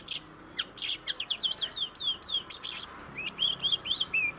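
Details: Oriental magpie-robin singing energetically as a lure to prompt other birds to sing: rapid varied chattering phrases of sharp high notes, buzzy bursts and quick whistled slurs, tumbling without pause.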